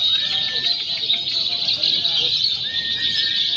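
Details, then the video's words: Simulated lovebird free-action contest blending konslet, fighter and paud styles for pre-competition training; steady, shrill high chatter pours on without pause, with a few thin sliding whistles drifting lower. "SIMULASI LOMBA LOVEBIRD BEBAS AKSI (KONSLET, FIHGTER, PAUD)"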